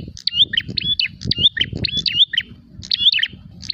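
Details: Prinia seeking an opponent calls in quick, high, piercing chirp groups with sliding notes, broken by a brief gap, over noticeable low rumbling sounds.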